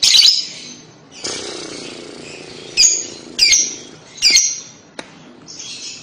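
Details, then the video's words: Lovebird kekek, used to make a young lovebird answer: a harsh screech, then a buzzy stretch, followed by short, sharp, high chirps about every half second, with a final chattering burst. "lovebird paud akan nyaut dengar kekek an labet ini, cara jitu pancing labet paud bunyi"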